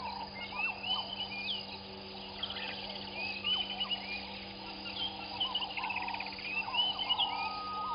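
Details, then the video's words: Southern masked weavers at their nests by Gowrie dam, Djuma Game Reserve, Sabi Sand Wildtuin, South Africa, 05:23 on 15 January 2021; dense overlapping buzzy, swizzling chatter and sliding whistles, with a steady mechanical hum underneath. "Southern Masked Weavers and nests"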